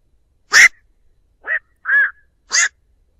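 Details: Black-crowned night heron flock call used to lure birds into traps: four hoarse, barking quok notes within about two seconds, the first loudest and rasping, the others shorter and more nasal, with no background noise.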